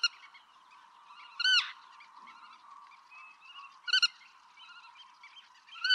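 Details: Black-tailed godwit in Pingtung County, Taiwan, dated 6 October 2015: loud nasal calls at irregular intervals, one a double burst, above a dense background chorus of high bird calls.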